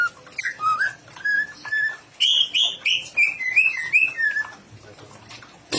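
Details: Greater green leafbird, a caged songbird kept for singing contests and described as ready for a national competition, sings a loud, fluent run of varied whistled phrases, short notes rising and falling in quick succession, ending with a brief clatter.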